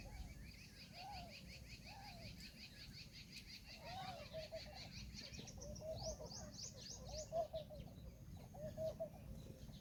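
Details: Indian peafowl peahen calling, short mid-pitched nasal notes repeated roughly every second, some in quick doubled bursts, over steady low background rumble, with high thin chirps from other birds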